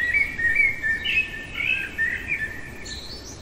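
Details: Blackbird in the dead of night pouring out a continuous run of varied mellow whistles and chuckling notes, rising into thin high squeaks near the end.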